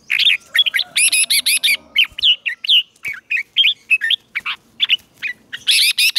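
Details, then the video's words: A red-whiskered bulbul kept as a decoy sings to call wild rivals to come and fight. Dense, rapid run of chirpy, whistled syllables with loud chattering bursts at the start and end. Faint low rumble beneath. "Chào Mào Mồi Hót Gọi Bổi Về Đấu"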